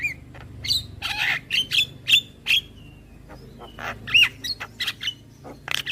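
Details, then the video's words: Javan myna singing, a tutor recording for young birds; harsh squawks and buzzy bursts alternate with clear whistled notes, one arched whistle near the end, spaced roughly every half second. "Masteran Burung JAlak Kebo Muda Agar Cepat GAcor Manggut Manggut"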